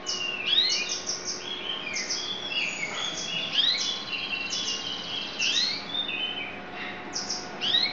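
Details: Yellow F2 canary singing: a continuous flow of high slurred whistles, quick downward and upward sweeps and short rapid note bursts, steady throughout over a faint background hiss.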